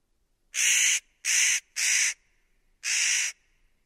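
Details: Spotted nutcracker gives four harsh, rasping, noisy calls, each about half a second long, the last following a longer pause, with silence in between.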